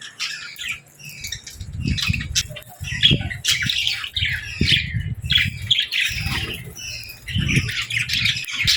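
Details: Young budgies and lovebirds at feeding time: scratchy squawks and chirps in repeated bursts, mixed with low thumping handling or movement noises.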